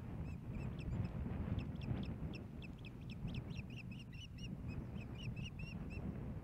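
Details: Osprey at the Hellgate Canyon nest, Missoula, Montana, on 15 May 2016, as a fish is brought to the female: irregular bursts of sharp, high chirps, some doubled, partly masked by a heavy low rumble.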